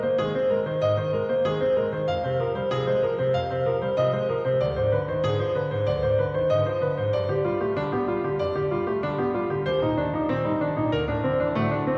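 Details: Gentle piano music plays throughout, with no animal voices to be heard.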